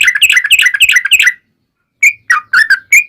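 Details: Yellow-vented bulbul singing as a lure for other bulbuls: a dense burst of rich bubbling whistles, then a pause of under a second, then four separate rising, slurred whistled notes.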